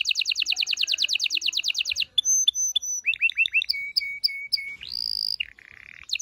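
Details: Loud canary song stimulating males and females before mating: a fast even trill for two seconds, then clipped high whistles, quick upslurred notes, repeated flat chips, a sustained pure whistle and a lower buzzy phrase.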